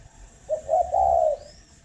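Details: A single low cooing phrase from a captive spotted dove at a breeding farm in Hanoi, Vietnam, in the morning: two short notes running into a smooth, sustained coo.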